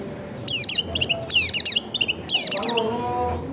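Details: Long-tailed shrike captured at a home in a crowded neighbourhood, meant to restart a silent shrike's singing: three clusters of fast, descending, twittering high notes, with a low steady background murmur.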